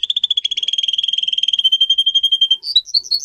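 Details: Caged singer canary from song training material performing a fast, even rolling trill of bright repeated notes, slowing slightly, then breaking into higher whistled phrases at the close; no other sounds present.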